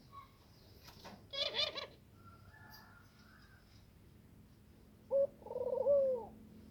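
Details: Spotted dove about to lay eggs, heard faintly: a short chirp early on, quiet background, then near the end a low, soft, rolling coo with a brief lead-in note.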